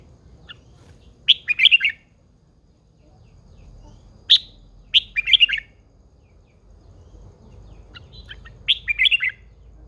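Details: Red-whiskered bulbul, an old wild-caught female in a cage, singing to spur males on. Three similar phrases of a sharp note followed by a quick cascade of bright warbles, repeated roughly every three to four seconds, with a single note between.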